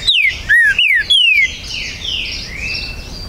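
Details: Green-winged saltator at a breeder's premises, 19 September 2020, singing to contest territory: four quick, loud descending whistles, then soft background twittering of other birds.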